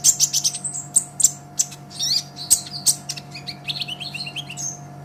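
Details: Olive-backed sunbird (kolibri ninja) song used as a training master for songbirds: rapid high, thin chirps and short sweeping notes, then lower twittering trills near the end, over a steady electrical hum.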